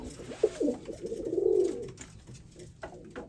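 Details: Zoo-kept white male pigeon courting a brown female; a few short clipped notes followed by one long, swelling low coo, then quiet.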